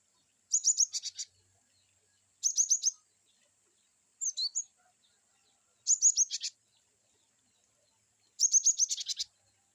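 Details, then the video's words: Cinereous tit (glatik batu) in varied wucit-wucit style: five evenly spaced bursts of rapid, high, slightly buzzy chirps, each about half a second long, roughly every two seconds. "glatik batu wucit2 bervariasi cocok untuk terapi glatik"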